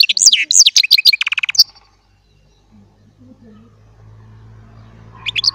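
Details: Goldfinch-hybrid baster, small, delivering goldfinch-type song: a quick run of bright, high liquid twitters and a short trill, then near silence before a few more chirps at the end.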